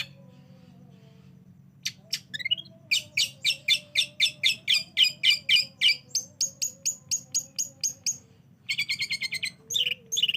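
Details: Long-tailed shrike recording used as a lure so a reluctant shrike answers and sings: after a quiet start, a rapid volley of harsh notes, then higher clipped ticks, a pause, and fast broad chatter.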